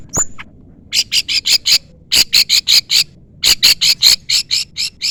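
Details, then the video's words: Long-tailed shrike calling at a rival: one sharp high whistled note, then three rapid bursts of harsh, scratchy chattering notes separated by brief pauses. "pancingan cendet gacor full isian CUITAN MEMANGGIL LAWAN"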